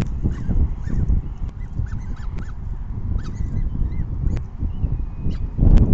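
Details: Evening feeding of peregrine falcon chicks, 6 PM, 14 May 2021: short, thin up-and-down begging notes repeat irregularly over strong low wind noise, with scattered sharp clicks and knocks.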